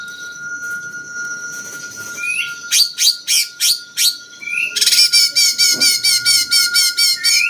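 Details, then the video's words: Cucak cungkok bulbul with a jenggot-flavoured song, used as master song to train champion songbirds; harsh squawky bursts, then a fast run of rapid repeated chattering notes with short rising whistles, over a steady electronic tone. "masteran paling banyak diminati burung jawara!!!cungkok rasa jenggot"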